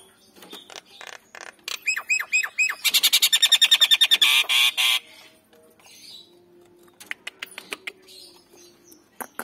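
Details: Male and female Nias hill mynas in a lure recording meant to set birds calling: clipped downslurred whistles lead into a loud, fast rattling buzz of about two seconds, then sparse sharp clicks and faint notes.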